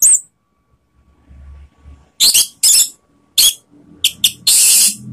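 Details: Lure song of an Orange-headed thrush, meant to provoke rival birds: a series of short, bright, piercing bursts spaced irregularly, ending in a longer, dense whistled phrase. Faint low background rumble.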